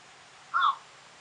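A Eurasian bittern gives one short, harsh, crow-like bark lasting about a third of a second, against a faint steady hiss.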